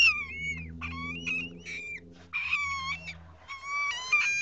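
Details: A baby lesser sulphur-crested cockatoo being hand-fed with a simple syringe gives repeated nasal, wheezy begging cries, each about half a second long, over a low steady hum.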